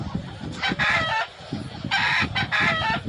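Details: Roosters during a fight, crowing: two loud harsh crows, each a broken series of buzzy bursts about half a second long, over steady low scuffling and background noise.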